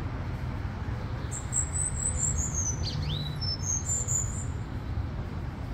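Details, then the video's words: Cuban grassquit (tomeguín), Miami, USA, 2022, giving the full negrito song: a long, very high, thin buzzing trill that drops slightly, a quick swooping note, then a second high buzz, over steady low traffic rumble. "TOMEGUIN CANTA NEGRITO COMPLETO"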